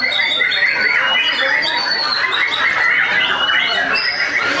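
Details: White-rumped shama, a captive-bred bird from Tasikmalaya, Indonesia, singing hard in a simulated song contest with a rich mimicked repertoire: a loud, continuous, dense stream of harsh rasping notes, chatters and quick whistles without pause.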